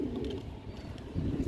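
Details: Pigeons kept on a rooftop; low, throaty coos swell at the start and return near the end, with a soft steady background hum between them.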